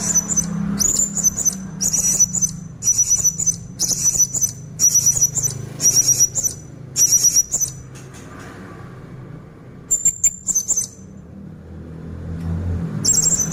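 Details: Energetic konslet song of a caged blue-crowned hanging parrot, played to attract untrained birds: a rapid run of eight shrill high squeaky bursts, roughly one a second, then a pause, a faint whistle and more shrill notes, steady background hum.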